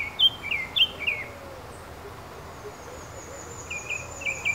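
Red-billed streamertail giving quick bursts of sharp, high, metallic chips, a handful close together, then a pause and another bunch. A faint thin high whine runs underneath.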